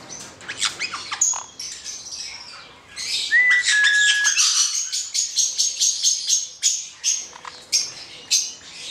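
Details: Hand-reared male black-headed caique giving a rapid series of sharp, high chirps, roughly two or more per second. Brief clear whistles are mixed in, along with a faint wing flutter.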